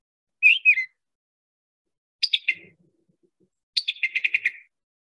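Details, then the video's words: Summer tanager in central Alabama, birds just now coming back, a robin-like song of short whistled phrases with short pauses; three brief warbled phrases, the last with rapid repeated notes. "this is a robin-like song long phrases short pauses summer tanager so"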